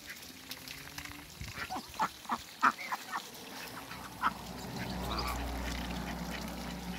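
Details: Muscovy duck pair in a backyard: a series of short, husky, clipped calls at an uneven pace, then a steady low rumbling noise takes over.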